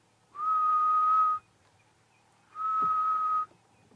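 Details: Grey-headed bushshrike in Kruger National Park, South Africa, on a May sunrise, giving its mournful call: two long, level whistles, each about a second long and a second apart, on a steady mid pitch.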